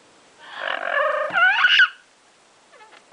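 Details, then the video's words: Female double yellow-headed amazon parrot, indoors and excited while playing in her favourite hiding place, an open cabinet, gives a drawn-out nasal, harmonic call rising into a squeaky upturned ending, then a faint short note. "Chicklet says "hello" from her farvorite parrot hideout"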